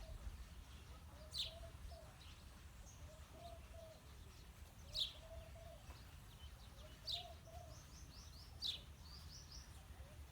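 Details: Male and female house sparrows chirp sharply four times at uneven intervals. Soft low cooing runs beneath, and another bird adds a quick series of high notes near the end.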